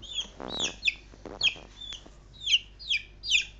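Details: Three-week-old domestic chicks call to their owner with high, down-slurred peeps, some doubled, repeated irregularly. Lower, broader sounds are mixed in near the start.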